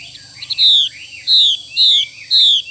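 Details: Female Chinese hwamei giving its 'xùy' call: four loud, high, down-slurred whistled notes, each sliding downward and spaced about half a second apart, over a faint low hum.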